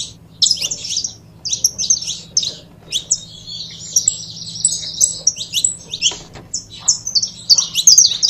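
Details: A pair of saffron finches pour out a rapid, jumbled twittering of high chips, including a long unbroken stretch of chatter in the middle, over faint background hum.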